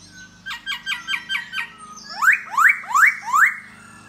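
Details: Laughingthrush, known as khướu da bò, singing and dancing to lure a female: a quick series of short buzzy notes, then four loud upswept whistles about every third of a second.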